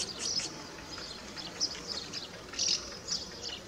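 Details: House martin giving brief high chirrups and twittering notes, scattered unevenly with a louder burst near the end, against low background noise.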